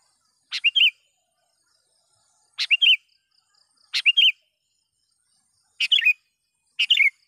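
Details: Sooty-headed bulbul calling a rival to draw in wild birds: five separate bright chirps, each a click then a twisting whistled flourish, spaced one to two seconds apart in quiet surroundings.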